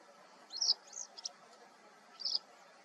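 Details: A male Western yellow wagtail (ssp. cinerocapilla) on territory at Sant'Agata Bolognese, Italy, on 13 April 2022 gives thin, high, slurred tsweep notes, three close together and one more after a pause, over a faint steady hiss.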